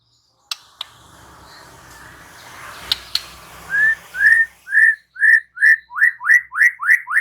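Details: White-rumped shama, called murai batu, giving a series of loud rising whistled notes about once per second after a few sharp clicks over a low hiss.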